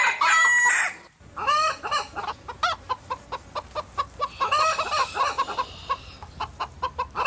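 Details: Domestic chickens: a rooster's crow opens, then a busy flock of hens gives rapid overlapping clucks and cackles in irregular bursts.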